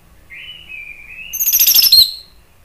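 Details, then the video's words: Orange-headed thrush, caged, giving an agitated provoking song: a thin wavering whistle followed by a rapid trilled burst of high notes. "ANIS MERAH spontan EMOSI NRATAK terus NGEPLONG ¦ PANCINGAN AM"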